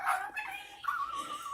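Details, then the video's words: Male superb parrot Malibu, a talker and singer prompted to sing Jingle Bells, gives a short whistled, whining phrase, dipping then rising and holding steady like mimicked whimpering; nothing else heard. "Superb Parrot Malibu showing off his singing and mimicking skills"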